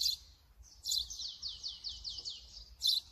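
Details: Brown-eared bulbul recorded with a Sony mirrorless camera and 200-600mm lens: a quick run of shrill, downslurred high notes, eight or so in a row, between sharper squeaky bursts at start and end.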